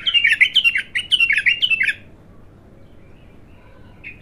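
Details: First song of a raw, untrained bulbul: a fast, rhythmic chain of bubbling, downslurred whistled notes for two seconds, then quiet, and a single note returning at the end.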